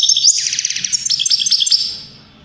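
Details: Brief European greenfinch song burst: a buzzy lower rattle under bright stepped twittering notes that quickly fades out.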